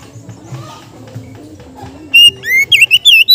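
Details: Oriental magpie-robin giving a relaxed ngeplong song aimed at training raw kacer. Two seconds of faint low murmur come first, then a burst of loud, clear whistles, a rising slur and quick ringing notes.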